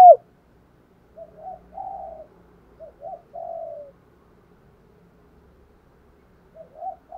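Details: Quiet, distant-sounding soft coos in short groups from a spotted dove setup where a decoy calls wild doves in the morning, with a brief loud note at the start.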